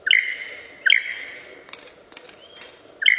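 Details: Mimicking lyrebird gives three ringing phrases at uneven gaps. Each starts with a sharp rising flick and settles into a drawn-out whistle. Faint clicks and a soft thin whistle fill the pause between the second and third.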